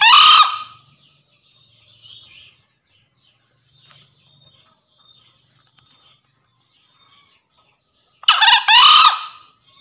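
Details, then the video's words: Green junglefowl cock calling out to a rival male, giving a loud rasping crow at the opening, then several quiet seconds with faint scattered bird notes before a second strong, hoarse, stuttering crow near the end. "Suara Pikat Ahh Jantan Memanggil Lawan"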